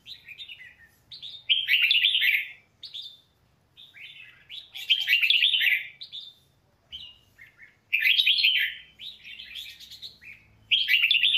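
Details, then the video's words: A legendary red-whiskered bulbul used for song training sings clear whistled notes leading into loud, bubbling warbled bursts, repeated in several phrases with brief silences between them. "Tiếng hót của chào mào huyền thoại -Thiết Mộc Chân / Luyện giọng chào mào cực hay"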